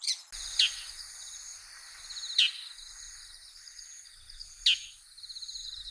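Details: A bull-headed shrike in winter in Japan, a bird of open farmland and riversides, gives three harsh, sharp, downward-slurred shrieks about two seconds apart, over a steady high buzz of insects or distant birds.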